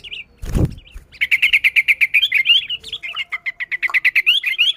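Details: Sooty-headed bulbul in lively, vocal form, used to lure other bulbuls, gives a fast run of bright chirping notes, over three per second, rising and falling slightly, after a sharp thump near the start.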